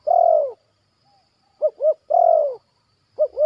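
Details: Zebra dove in training in a yard, repeating a long, slightly wavering falling coo followed by a pair of short arched hoots, the phrase given twice in close succession.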